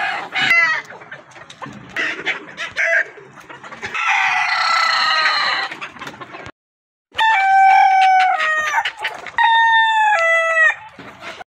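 Several loud rooster crows, hoarse and harmonic, each rising then falling over a second or two, with a brief silent break between separate recordings.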